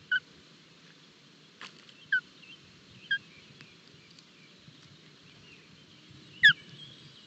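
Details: Nest of Osprey chicks in Barlinek forest, early morning feeding on 25 June 2022, recorded by a live camera: short, high, downward-slurred chirps repeated every second or so, then a gap before one louder chirp.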